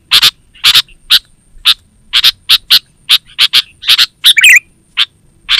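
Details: Sooty-headed bulbul, an actively calling bird, used as a lure for wild birds in the forest and as a master call for training caged bulbuls; short harsh chattering notes, spaced irregularly, with a bubbly warbled burst near the end.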